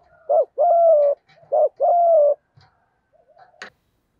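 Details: Spotted dove cooing, used to stimulate captive doves to coo, Thổ thúc gù voice style: two paired phrases of a short rising coo followed by a long steady low hum, then quiet with a faint click.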